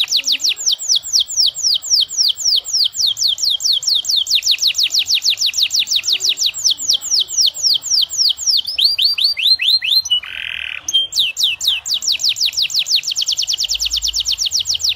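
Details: Canary delivering a long, ornate song meant to coax other canaries into singing. Strings of fast descending whistled notes form rolling trills, broken near ten seconds by a short harsh buzzy burst before the trill resumes.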